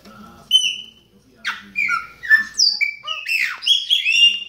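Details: Baianinho-style song of a chopi blackbird: a short pause, then bright whistled slides and harsh squawky notes tumbling one after another, ending in a dense burst of rising whistles over a soft low hum of voices.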